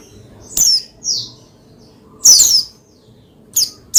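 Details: Oriental white-eye, pleci, played to provoke another pleci to sing: a few high, sharp, squeaky downslurred chirps in short bursts, with quiet pauses and a low background hum.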